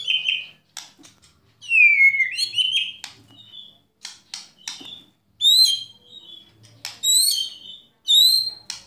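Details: White-rumped shama singing kretekan and tembakan style to stir other shamas to sing: rich descending whistles, crisp clicking ticks and bright rising notes repeated in bursts about every second.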